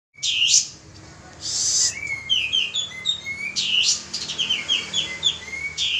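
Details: Male pied triller singing actively as a lure sound: series of clear descending whistled notes in quick succession, broken by harsh raspy bursts.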